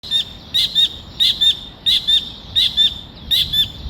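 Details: Collared kingfisher (Todiramphus chloris), call.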